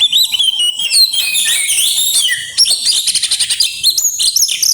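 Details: Oriental magpie-robin grabakan song with isian phrases: dense high chattering notes, sliding whistles dropping then jumping upward, a short pause near the middle, then fast stuttering trills closing the passage.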